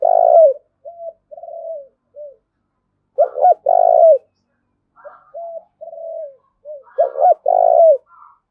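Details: Decoy spotted dove urging a rival to fight, cooing steadily: long mellow coos alternate with short soft notes and loud stuttered-then-drawn phrases, with faint higher chirps in the background.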